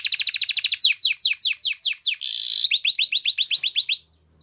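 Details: Training song of a canary: series of quick descending whistled notes repeated about three per second, a brief buzzy roll, then more falling notes before stopping abruptly.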